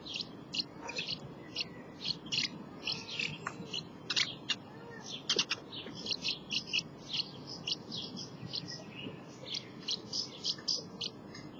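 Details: House martins at their nest during nesting, giving a dense, chattering twitter of short high chirps and buzzy notes in overlapping bursts with barely a pause, over a low background rumble.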